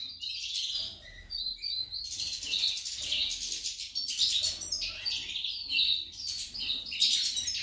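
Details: Steady, lively twittering song from a female goldfinch, dense with high chirps, warbles and short buzzes, running without pause.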